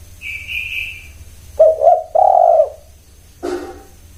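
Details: Spotted dove coo of two short notes and a long, even note, preceded by a thin, high, steady whistle and followed by a brief rustling thump.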